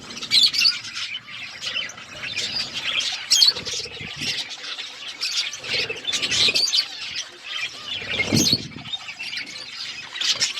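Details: Budgerigars chirping as they eat: continuous warbling chatter of many quick chirps and squeaks, in bursts that rise and fall, with a low thud around the eighth second.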